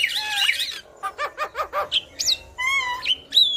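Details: Yellow-eyed black-winged myna singing with head-bobbing: tangled whistled warbles, a row of short nasal pulses, then clear level whistles and a high rising slur.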